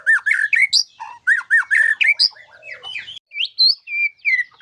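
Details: White-rumped shama song with rich isian (filler phrases): a dense, varied stream of rapid chattering and buzzy notes, clear rising and falling whistles, and short repeated bursts, each phrase changing quickly with brief pauses between.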